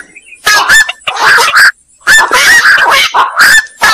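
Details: Black-crowned night heron giving rough, hoarse squawks in two clustered bursts separated by a brief pause, with the notes strident and overlapping.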